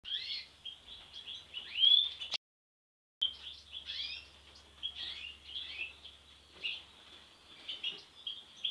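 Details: A black-masked European goldfinch sings a fast, liquid twitter of tinkling high notes and buzzy trills, running almost without pause apart from one brief break.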